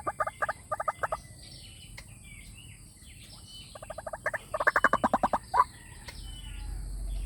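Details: Lure call of a white-breasted waterhen, used to make wild birds that hear it come and fight: short series of rapid, hoarse clucking pulses, then a louder, quicker burst of repeated notes near the end.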